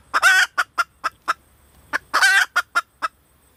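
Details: Female red junglefowl calling in two matching phrases: a long, grating note followed by four or five short, evenly spaced clucks, with a short quiet gap between phrases.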